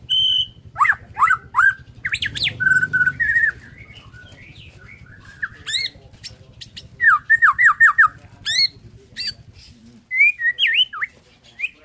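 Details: Borneo white-rumped shama singing in the morning, a varied mix of sharp downslurred notes, harsh squawky phrases and short whistles, with a low hum underneath.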